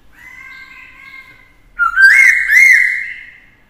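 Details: Black-throated laughingthrush singing to provoke rivals: a soft sustained whistle, then a loud, rich rolling warble that rises and wavers before fading.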